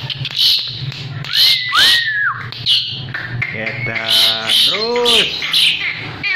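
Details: Asian pied starling held in the hand and singing vigorously: scratchy bursts, an arched whistled note, a nasal buzzing phrase and rising-falling calls in a busy, varied run.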